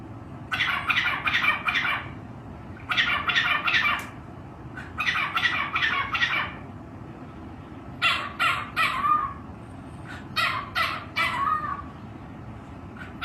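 A cockatiel gives harsh, scratchy squawks in quick bursts of four or five notes.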